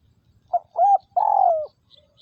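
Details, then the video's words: Decoy spotted dove from Vietnam, kept for trapping wild doves, calling in 'Liêu Rồng' style. A clipped first coo and a rising-falling second coo lead into a long, vibrating, descending third coo, followed by faint distant chirps and low background rumble. "Tiếng Chim Cu Gáy Liêu Rồng Mắt Lé Chân Cua Mồi Đất"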